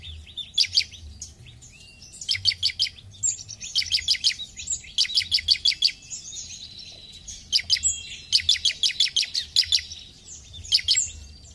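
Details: Bar-winged prinia (ciblek) singing steadily: repeated rattling bursts of bright, high, evenly spaced chirps, each burst several notes long, recurring every couple of seconds over a faint low hum.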